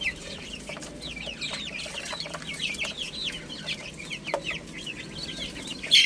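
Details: Little chicks chirping while playing and eating: a steady chorus of high, thin, down-slurred peeps from several birds, overlapping continuously, with a few faint clicks and knocks.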